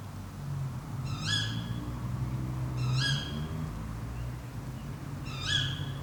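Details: Tawny owls calling overnight in Fachwen, Padarn Park, Wales, captured by an unattended Zoom F3 drop rig with Clippies microphones: three sharp, rising, harmonic-rich calls about two seconds apart over a steady low rumble.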